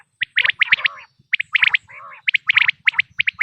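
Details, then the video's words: Quail calling for hunting, natural recording: bright, sharp chirped notes in quick clusters, with lower buzzy harmonic phrases between them, about one burst per second. "بٹیر کی آواز"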